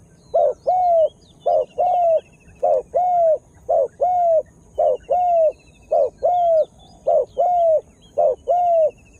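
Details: Spotted dove calling as a lure to attract wild birds; steady series of strong cooing notes in paired phrases, a short note then a longer falling one, repeated about once a second, with faint background chirping of other birds.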